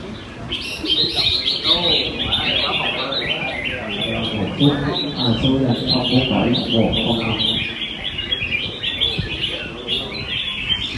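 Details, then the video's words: Red-whiskered bulbuls in cages sing competitively one June 2020 morning in Quy Nhơn, a busy chorus of warbling, chirping phrases mixed with clearly audible human voices talking close by. "Hội Thi Chào Mào Hót Đấu Giàn – Luyện Giọng Chào Mào Hót Sáng"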